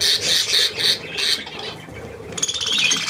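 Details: Young budgerigars with adults near millet, 3 May 2024: loud harsh squawks repeat in quick bursts, then fade to lighter rapid chirps, with a German-speaking person coaxing nearby.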